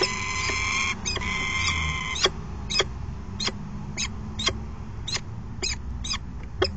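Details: Peregrine falcon male bringing food to the nest box and calling the female, recorded 22 August 2018; a long harmonic wail at the start gives way to a run of short, sharp clicking notes repeated roughly every half second over a low hum.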